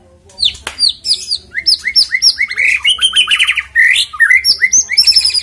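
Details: White-rumped shama song used as a lure to make the bird sing: rich, fast varied phrases of clear whistles, sharp downslurred notes and rapid rattling trills, continuous with brief pauses, bright and loud throughout.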